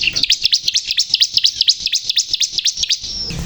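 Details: Ciblek kristal (bar-winged prinia) in full gacor singing, pouring out rapid, evenly paced V-shaped chips that dip and rise again, roughly two per second, ending in a short level whistle.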